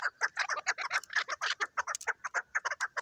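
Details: Chukar partridge kept for hunting utters rapid, somewhat uneven clucking notes, roughly two per second, harsh and broken, with a few brief higher squeaky sounds mixed in.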